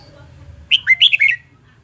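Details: Red-whiskered bulbul in contest-singing training: a loud, rapid phrase of about five bright, slurred whistled notes, rising and dipping, lasting under a second, over a faint low hum.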